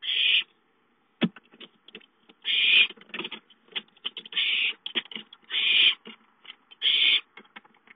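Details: ['Owlets playing at home and calling for food on 5-9-13: repeated harsh hissing screeches about every one and a half seconds, interspersed with busy clicking and scratching sounds.']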